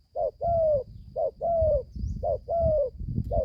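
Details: Newly calling young spotted dove, taken to the forest to train for the first time: deep paired coos, a short note then a drawn-out falling one, over low rumbling handling noise.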